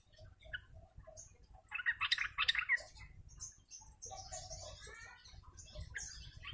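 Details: Flock chatter of sooty-headed bulbuls, the ombyokan style used as a lure: a dense burst of bubbly notes early on, then softer scattered calls, over a constant low hum.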